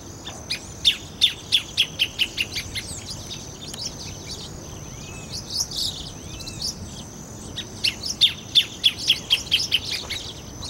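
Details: Greater thornbird (Phacellodomus ruber) in cerrado near Brasília, Brazil, giving two loud runs of sharp, chattering notes, about five per second and falling slightly in pitch, over a steady high insect drone.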